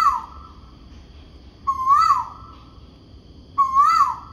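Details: Morning calls from a noisy bird, rendered "ku oo": rising-and-falling mid-pitched notes with bright harmonics, repeated roughly every two seconds against a soft low background rumble.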